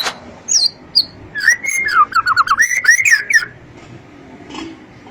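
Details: Long-tailed white-rumped shama singing a phrase of quick warbled whistles and crisp clicks lasting about two seconds, preceded by two thin high notes.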